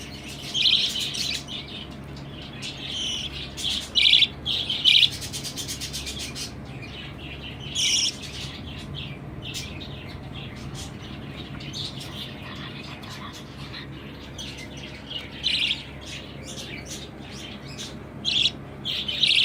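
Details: Young budgerigars, just out of the nest and exploring a new place, give bursts of sharp, high chirps and scratchy chatter, several birds calling at once.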